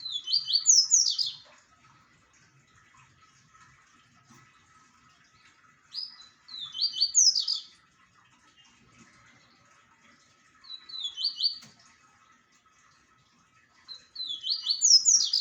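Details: Repeated song phrases of a double-collared seedeater, each a short burst of rapid, high downslurred chirps, given roughly every five seconds with quiet gaps between.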